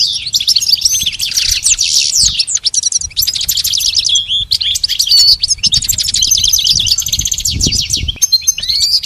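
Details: Nearly continuous goldfinch song for training a pet bird: fast liquid twitters, rattling trills and short buzzy notes, with soft low background noise.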